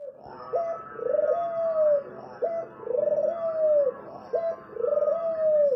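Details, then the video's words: Spotted dove song: a short clipped coo, then a quick rolling burst that runs into a long, drawn-out coo sliding slightly downward. The three-part phrase repeats about every two seconds, three times. "suara merdu burung tekukur"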